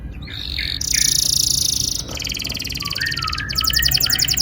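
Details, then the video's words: Canary song used to prompt young canaries to sing, heard as dense buzzy trills in separate bursts, a few short rising whistles, then a rapid rattling trill. "Pancingan kenari gacor NGEROL PANJANG AMPUH cocok bikin BURUNG KENARI PAUD GACOR LANGSUNG"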